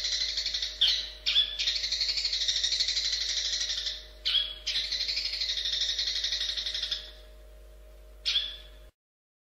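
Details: Long-tailed shrike singing a dense, buzzy, high-pitched chatter in long unbroken bursts, briefly broken twice, then fading to a short final burst; a faint steady electrical hum runs underneath.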